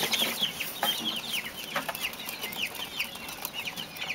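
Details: Mexican speckled bobwhite quails giving quick, sharp chirping calls, repeated several times a second and overlapping from more than one bird, over a constant hiss.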